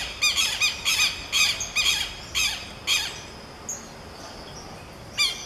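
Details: Duetting Southern lapwings give strident, rasping squawks in quick pairs and runs, roughly two per second, then a pause with only faint distant chirps before one more harsh note.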